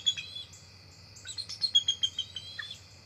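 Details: Two adult bald eagles arriving at the nest tree at dusk, October 4, 2023, NCTC nest; a rapid run of high, piercing chirps in quick succession, a few lower slurred notes near the end, and a constant background insect drone.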